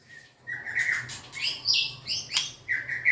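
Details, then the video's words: White-rumped shama singing; several whistled notes and higher chirps in short bursts over a faint low hum. "Big Sound Birds Singing Chirping, Dancing And Beautiful Tails Wagging - Birds White-rumped shama"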